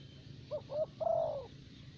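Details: Decoy spotted dove of the thổ bầu type from Vietnam, kept for luring; a single full phrase of two short hollow notes and a long, slightly falling coo, against low background hum.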